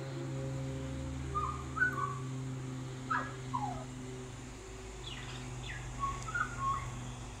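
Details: Male Australian magpie visiting a balcony, singing a warbling song of mimicked sounds; soft whistled and slurred notes near the middle register come in short phrases at roughly 1.5, 3, 5 and 6.5 seconds over a steady low hum.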